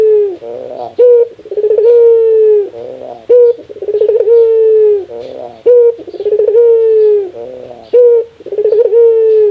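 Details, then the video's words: Laughing call of a Barbary dove, a sound called extremely rare: a chuckling run of quick pulses flows into a drawn-out, level coo that dips at its close, the pattern recurring roughly every two seconds in a quiet setting. "Suara ketawa burung puter"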